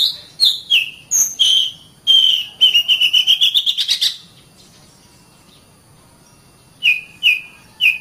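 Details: Oriental magpie-robin song from a training recording for caged songbirds: a quick burst of clear whistled notes with buzzy overtones, then a fast rattling series of rising notes, a pause of near silence, and three sharp falling whistles.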